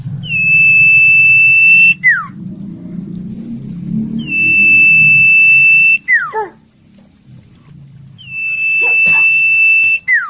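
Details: An Ashy tailorbird, in full song, repeats a long, steady high whistle ending in a sharp downward slur, about every four seconds, over a faint low hum.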